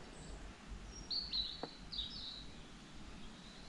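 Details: A European robin sings faintly in the background of the woodland at Mere Sands Wood Nature Reserve in the fungus season, with thin high wavering phrases and short sliding notes over a low background rumble.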